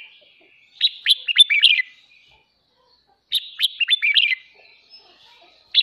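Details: Morning song of a caged red-whiskered bulbul, used to train voices and provoke competitive singing; two rapid, chattering phrases of sharp whistled notes roughly 2.5 seconds apart, the start of a third at the end.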